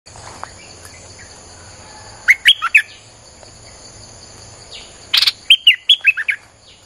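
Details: Streak-eared bulbul song played to lure wild birds: two bursts of quick, bright chirped notes, four then six, the second burst starting with a sharp click, over a steady high insect hum.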